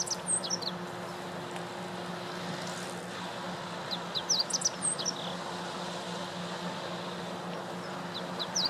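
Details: Meadow bunting singing at Lake Teganuma in April 2017: brief, high, chirping song phrases scattered through the recording, partly masked by steady low traffic hum.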